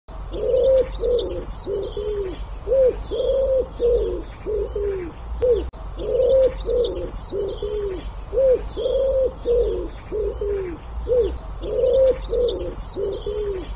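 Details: An ashy wood pigeon (Columba pulchricollis) gives a run of deep, hollow coos, the phrase repeated twice.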